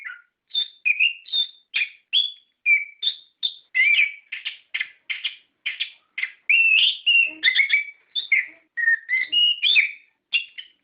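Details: Orange-headed thrush singing a lure song meant to prompt captive birds to answer, in the loud continuous ngerol style: rapid varied phrases of clear whistles, slurred notes and short chirps, almost without pause, over a silent background.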